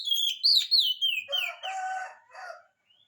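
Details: Actively singing oriental magpie-robin, played to prompt lazy males to reply: bright whistled notes sliding downward, followed by harsher, buzzier lower phrases and a short final whistle.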